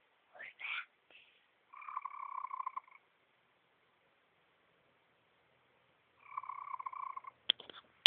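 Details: Chicken perched on its owner's lap, uttering unusual sounds: two steady, buzzy trilled notes about a second long, separated by a silent gap, with brief human voice sounds at the start and end.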